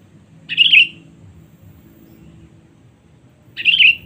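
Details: Rival-calling lure of a sooty-headed bulbul: two short, bright warbled phrases about three seconds apart, each quick and wavering, separated by near silence with a low hum.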